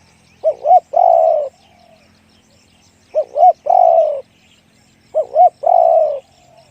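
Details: Spotted dove giving its 'one kuk, big voice' song three times, about two seconds apart. Each phrase is two short arched notes followed by a long, deep, slightly falling coo.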